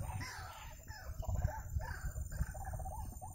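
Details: Waterhen seen while birds are being trapped, uttering harsh, slurred notes that sweep downward, repeated at a loose pace, with heavy low rumbling noise throughout.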